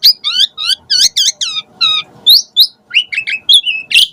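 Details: Asian pied starling in lively varied song to spur other birds: a fast chain of warbled chirps, followed by spaced upslurred whistles and short bright notes.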